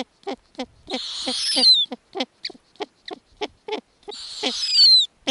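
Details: Snowy owl family at an Arctic nest, owlets being fed lemmings by the mother. Two harsh, breathy screeches with a sliding whistle at the end, separated by a rapid run of short, clipped clucking notes.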